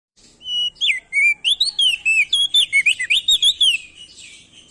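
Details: Male crested white-eye, locally prenjak daun or opior jambul, endemic to Nusa Tenggara, singing loudly as a lure to make other birds sing: a fast run of clear whistled notes, rising and falling slurs, about three per second.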